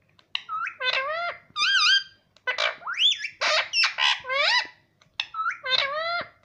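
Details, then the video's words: Pet parrot (mittu) talking and calling: a run of loud, harmonic, nasal syllables with rising and bending whistled tones, several quick word-like bursts over six seconds, with short pauses between phrases, in a quiet indoor setting. "प्यारा मिट्ठु सब बोलता है || mittu speaking beautiful"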